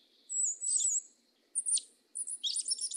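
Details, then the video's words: Yellow-legged thrush, sabiá-preta, singing in the southern 'mateiro' style: three brief, very high thin phrases, with the first a sustained whistle, the second a sharp down-slurred note, the third a jumbled squeaky burst, separated by short silences. "SABIÁ PRETA CANTO MATEIRO DO SUL"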